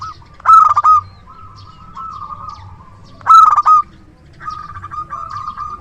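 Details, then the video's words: Local zebra dove with a strong voice, used as a reliable decoy: two loud staccato coo bursts about three seconds apart, followed by a quieter rippling trilled phrase. "Perkutut lokal gacor suara besar PIKAT ANDALAN"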